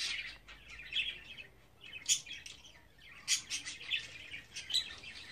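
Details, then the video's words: Budgerigar chicks, 24 days old, kept as pets: a busy stream of high, raspy chirps and squeaky calls, several sharp louder peaks spread through, with soft continuous chatter between and faint background hiss. "Muhabbet Kuşu Serseri'nin Bebekleri #24.GÜN"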